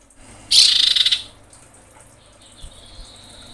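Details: Female common iora calling a male: one loud burst of rapid, grating pulses lasting under a second, followed by near silence with a faint thin hiss.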